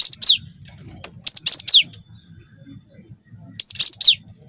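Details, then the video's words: Lure song of a young wingko cinereous tit, meant to set other birds singing: short clusters of piercing high notes, each ending in a steep falling slur, repeated roughly every second and a half against a soft low rumble. "PANCING BUNYI GELATIK BATU GACOR WINGKO"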